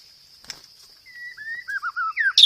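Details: White-rumped shama lure song featuring 'roll tembak' material: after a faint flutter, a thin drawn whistle leads into short looping notes and a quick rising flourish ending in a sharp, loud burst.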